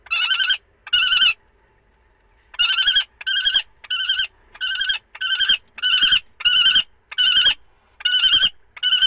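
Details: Common kestrels at a prey transfer, second and third handovers, 2 May 2013. A long series of rasping, buzzy call bursts repeats about once a second after an early pause, with faint knocks in between.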